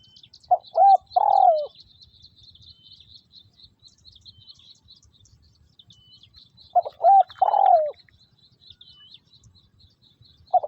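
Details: Spotted dove serving as a ground decoy for trapping in Vietnam, repeating its three-note coo about six seconds apart: short note, arched coo, long descending coo. Busy high chirping of small birds runs through the whole recording.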